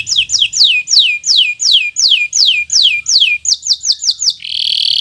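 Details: Local canary, bottle-green, singing for young birds to learn from: a series of loud, clear whistles sliding steeply downward, speeding up near the end, finishing with a high buzzy roll.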